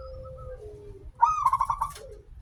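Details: Prolific local zebra dove with a long opening phrase, used as a lure to prompt doves to sing. A soft drawn-out descending coo leads into a brief loud rolling trill of pulsed notes, with low background hum throughout.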